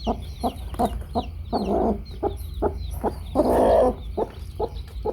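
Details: Domestic hen with her baby chicks: a steady run of short, low, throaty clucks about every half second, with two longer, louder grating clucks, over constant high thin chirping and low background rumble.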